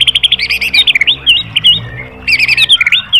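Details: White-rumped shama, tembakan master song for caged-bird training: two dense bursts of rapid, high, warbling notes with quick whistled flourishes, separated by a short pause.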